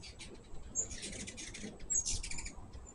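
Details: Hummingbirds at a feeder give a short, dense flurry of high, twittering, scratchy chips, then a second louder burst about a second later, over a soft low background hum.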